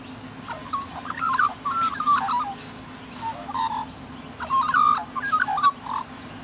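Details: Rainbow lorikeets in Australia, cuddling and gently grooming each other: a run of short chattering, squeaky calls, some sliding or bending in pitch, coming in bursts across the whole stretch over a steady low hum.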